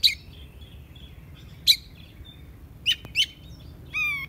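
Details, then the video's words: Oriental magpie-robin giving scattered sharp clicks and soft thin whistles at irregular intervals, ending with a short harsh buzzy note, against faint low background noise. "Chòe Than Hót"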